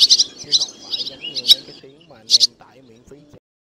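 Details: Black, white-bellied swallow calling the flock home to roost, a lure for net and glue trapping. A fast run of high chirps opens, then a louder doubled chirp, fading into quiet lower tonal notes.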